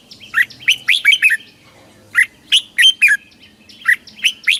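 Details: Red-whiskered bulbul of Thailand singing the southern master song style, used to excite caged birds and teach chicks, with three rapid phrases of clear, sharp chirped and whistled notes separated by brief pauses.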